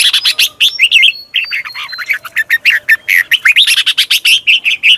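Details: Red-whiskered bulbul calls, played to lure new birds or draw birds out of the cage: a dense, lively stream of bright chirps and short warbled whistles, repeated several times a second throughout.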